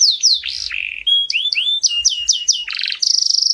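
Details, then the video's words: Canary song used for training young birds: a rapid sequence of bright whistled downslurs and swoops, shifting into a buzzy trill and ending on a fast, high rattling roll. "yến hót để huấn luyện gà con"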